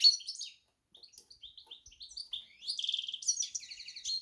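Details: Softer goldfinch-canary hybrid song of separate high whistled notes that run into a trilled, rattling phrase and quick twitters.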